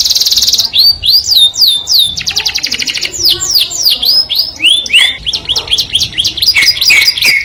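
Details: Canary pouring out a melodious song meant to draw the opposite sex, with a buzzy opening roll, rising upswept whistles about three per second, a fast rattling trill and varied chirped phrases.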